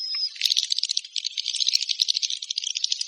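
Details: Swiftlet call: a thin whistled note opens, then rapid scratchy clicking twitters run without a break at a steady loudness.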